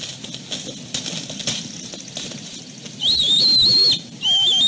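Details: Young wild bald eagles at a nest at Fraser Point at dusk, squabbling over places on the branches. Mostly faint background rustle, then a loud, high, drawn-out whistled call wavering steadily for about a second, followed by a second rising whistle.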